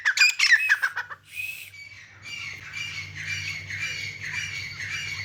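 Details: Grey francolin, known as teetar, in mud: a loud cluster of harsh squawks opens, then softer, hoarse repeated calls continue over a steady low hum.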